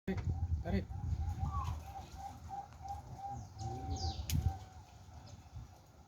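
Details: Bangkok-type zebra dove at a bird training session in Kediri, giving a steady run of short, clipped cooing notes at an even mid pitch. Higher chirps from other birds, a brief wing flutter and a low rumbling background are also heard.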